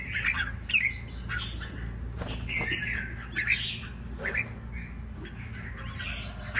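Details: Caged red-whiskered bulbul, wild-caught one week earlier, giving short scratchy warbles and a few sharp rising whistles in separate bursts, with low background hum and occasional clicks.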